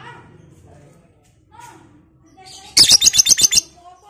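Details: Lovebird, the Batman type, giving its long chattering ngekek, used as a lure to provoke other lovebirds; after faint murmuring, about eight sharp, shrill, buzzy bursts come in quick regular succession over roughly a second, then stop.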